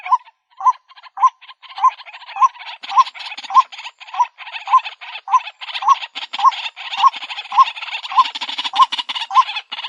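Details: Lure recording of the White-breasted waterhen (Amaurornis phoenicurus): a steady run of short, low, upturned hoots, nearly two per second, over a dense bed of rasping, croaking chatter that swells midway.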